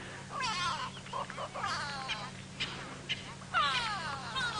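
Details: African grey hornbill calling on a calm early morning, about 6 AM on 18 August 2017, in Djuma Game Reserve, Sabi Sand, South Africa: plaintive, descending whistled notes in short repeated bursts over a steady low engine hum, with other birds nearby.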